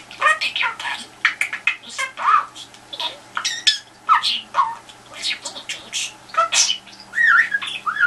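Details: Budgerigar kept as a pet, vocalising toward a telephone to get an answer: dense stream of clipped squawks, ticks and twittering notes, ending in a few rising whistled slurs.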